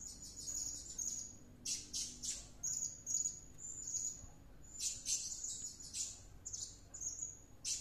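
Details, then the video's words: A pet Blue-crowned Hanging Parrot, back from use as a lure bird and acting "possessed," sings a rapid, shrill run of very high thin whistles broken by harsh buzzy bursts, chattering almost every half second. "Suara serindit gacor kerasukan"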